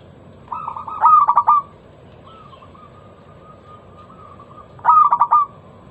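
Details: Zebra dove, local bird, in a lure song to make other doves sing: a loud stuttering coo phrase, a long soft level trill, then the stuttered phrase repeated about four seconds later.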